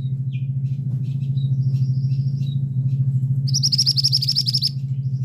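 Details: Male scarlet minivet: scattered short high chirps followed by a fast, sharp run of roughly ten shrill notes, set against a loud continuous low hum.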